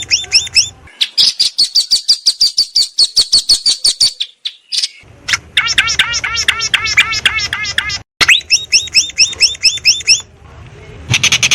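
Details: Long-tailed shrike heard in a rich, varied tutor recording taken on 16 May 2022 in a house yard and rice field with a Samsung M30 phone: sharp high chirps in quick series, then rapid repeated rising-falling notes, separated by brief cuts.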